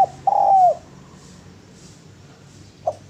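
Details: Spotted dove giving a single drawn-out, mellow coo, then quiet, with one brief soft note near the end over faint background noise.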